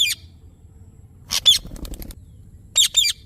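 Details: Natural calls of a ringneck parrot: short shrill squawks, a pair near the middle and another pair at the end, over a soft low background.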